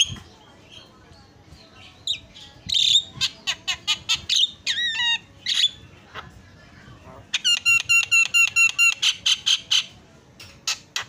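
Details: Javan myna song: varied mix of harsh squawks, clicks and rich harmonic whistles, then a fast run of repeated buzzy notes near the end, with brief quiet gaps.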